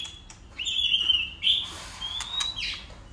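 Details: White-rumped shama in a competitive song: long, level, pure whistles, one followed by a short bright note and a thin upward-sliding whistle, over faint background hiss.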